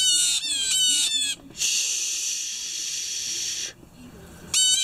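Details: Loud blue jays in the morning, giving quick runs of harsh, ringing, slightly falling notes at the start and end, separated by a steady two-second hissing rush of noise.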